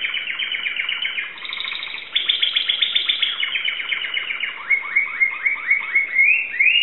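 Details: A Greek owner's Timbrado canary pours out dense repeated trills, then switches to a rhythmic series of upward-curving notes roughly three per second, closing on a rising slur.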